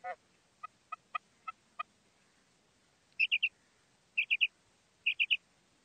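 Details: Calling female quail: a few faint dry clicks open, then three separate phrases of three quick, high, bright notes each, repeated about once a second over a quiet background.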